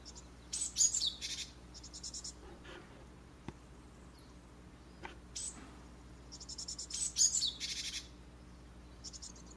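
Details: Japanese tit chicks leaving a nest box in a garden holly tree in a Japanese residential area; two bursts of high, rasping, rapidly repeated chirps about six seconds apart, with faint clicks between.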